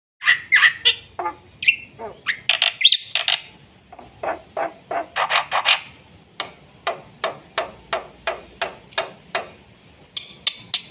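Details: Black-winged myna in lively, full-fill song used to coax and tutor young mynas: a rapid series of harsh, broadband squawks and clicks, some rising chirps early on, then evenly spaced sharp notes about three per second.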